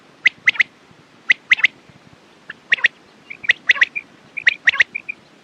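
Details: Quail giving sharp, clipped notes in rapid triplets, roughly one group per second, with soft short whistled notes between the later groups.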